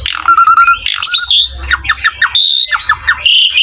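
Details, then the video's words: Asian pied starling masteran song: a level whistled note, squealing slurs, a run of five quick descending whistles, a high steady tone, then more falling notes and a final whistle. "MASTERAN BURUNG JALAK SUREN GACOR"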